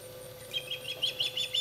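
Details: Osprey at the nest at dinner time, giving a run of short, high chirps repeated about five times a second, over a steady low electrical hum.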